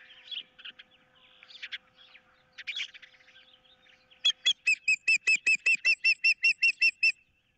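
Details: Osprey at a nest on 15 April 2023 while an intruder is nearby and one bird wants the other's fish: softer scattered chirps at first, then a fast, regular run of sharp whistled piping notes.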